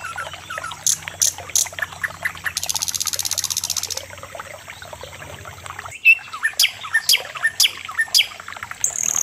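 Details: Common nightingale song, the bird called sikatan londo locally: a busy mix of rapid chattering notes, sharp clicks and a sustained buzzy rattle, followed after a brief pause by loud, spaced, emphatic whistled notes and a steady faint hum.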